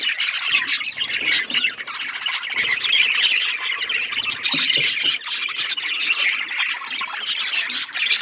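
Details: Many budgies chatter together in a busy, unbroken stream of chirps, raspy squawks and quick warbles. The pace barely slows, with short louder bursts throughout.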